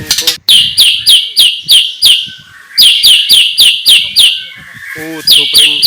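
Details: Morning white-rumped shama repeating a sharp, high, bright note in quick rhythmic series, roughly three per second, pausing briefly before resuming, with a faint low harmonic sound near the end.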